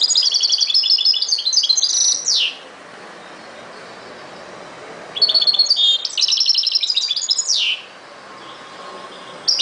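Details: European goldfinch song with rapid silvery twitters and buzzy trills, each phrase closing on a sweeping downslurred note, repeated three times with short pauses.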